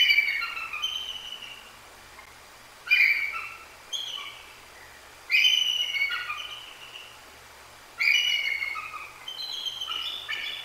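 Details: Bald Eagle pair, female and mate, repeatedly calling on 2 January 2024 after a Great Horned Owl struck her as she slept on her perch. High piercing whistles break into falling, chattering notes, with phrases roughly every two to three seconds.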